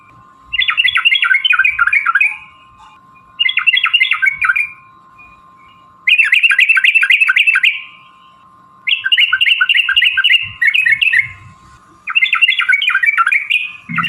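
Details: Sooty-headed bulbul fighting-style song with long runs, intended to provoke other bulbuls into singing: five separate bursts of rapid, bubbling chattering notes, each lasting one to three seconds, divided by short pauses, over a steady hum.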